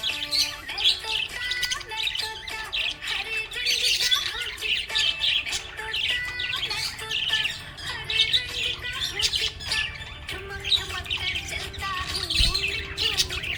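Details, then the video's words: Budgerigar in a happy mood keeps up continuous scratchy warbling, squawks and quick tweets, repeated in pulsing bursts, while music with a sung tune runs steadily beneath the bird. "Happy budgie chirping sound"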